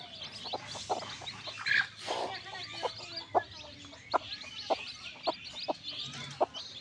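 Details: Newborn backyard chicks peeping continuously in a dense chorus of high, thin chirps, with scattered sharp tapping sounds and a low background hum.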